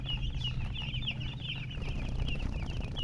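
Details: Many young chickens peeping together, bright short high-pitched chirps tumbling one after another without pause, above a constant low droning background.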